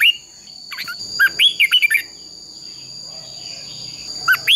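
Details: Red-whiskered bulbul singing a fighting-style song meant to provoke birds into competitive singing. A brief cluster of clear, upslurred and looping whistles is followed by a quiet gap, then two more whistled notes at the end.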